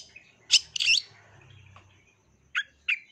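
Long-tailed shrike giving harsh, scratchy bursts: two close together, then a pause and two shorter rasping notes about a third of a second apart.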